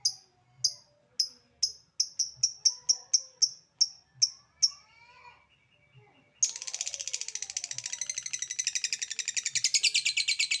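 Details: Calling lovebird starts with 'ngetik' and moves into 'ngekek': about a dozen crisp ticks that speed up, then a quiet gap, then a long, fast, continuous high chatter that pulses rapidly to the end.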